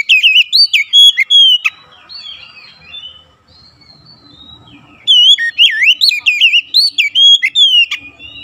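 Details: Oriental magpie-robin song used as a lure to provoke other magpie-robins into singing: loud, clear whistled notes sliding up and down in rapid bursts, a quieter warbling passage between two energetic phrases.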